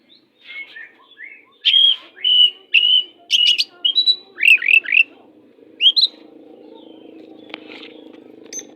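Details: Fierce-sounding 'pastol' oriental magpie-robin, used as tutor song to make less spirited magpie-robins sing harder. Loud clear whistled phrases rise and fall, followed by quick rattling notes, then a quieter stretch with a low hum and a few soft chirps.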